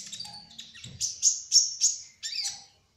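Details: Kolibri ninja sunbird of the speckled type, singing busily: a soft twittering start, then four loud high sliding notes in quick succession and a final buzzy flourish, with a faint low rumble early on.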